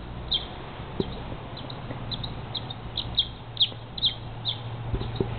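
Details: A single barn swallow circles a house in Everett, Washington, at about 4 a.m. in spring, doing aerobatics; bright clipped chirps come in an uneven series, around two per second, over a low constant hum.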